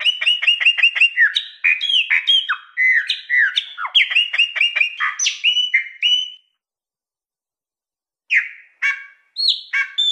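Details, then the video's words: Wild-style Mineiro song of a chopi blackbird: fast rattling bursts of sharp, clipped notes interspersed with whistled phrases that bend, then a pause of about two seconds and a few short whistles. "Graúna - Canto Mateiro Mineiro"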